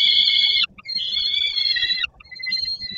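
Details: Young peregrine falcon begging from the landing below a nest in Poland while the father brings food, 10 August 2022: long, harsh, strained screeching wails about a second each, separated by short pauses.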